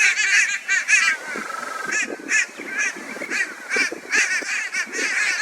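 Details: Crows gang up on a barn owl in Brisbane, Australia, 22 February 2022, giving hoarse, nasal caws in irregular bursts from several birds at once, with some lower scratchy noises beneath.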